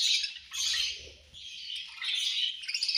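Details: Budgies chirping while being fed: loud scratchy squawks and chirps in two bursts separated by a short lull, with light clatter beneath.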